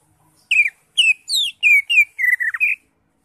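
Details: Greater green leafbird singing in full isian style for masteran tutoring: a sequence of seven clear whistled phrases, some slurred downward and some rising, delivered in quick succession.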